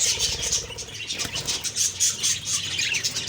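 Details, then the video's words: Budgie flock in the morning, high chirps and whistles over a steady chatter, with a brief flutter of wings. "Beautiful morning birds chirping sounds/Budgie sounds"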